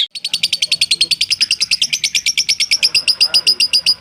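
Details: Lovebird in a tutor recording for training birds, performing the long ngekek. A continuous, rapid, high-pitched chattering trill starts almost at once and runs unbroken for about four seconds.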